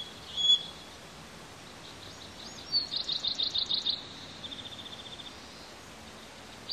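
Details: Two bald eagle eaglets peeping on a nest during hot weather: a sharp single note, then a fast run of about eight bright, high peeps, followed by a softer, quicker string of fainter peeps.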